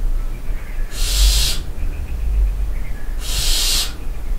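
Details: Night recording of barn owls in the dovecote of a castle at Barbirey-sur-Ouche: two bright, broadband hissing screeches, each about half a second, roughly two seconds apart, over low rumbling noise.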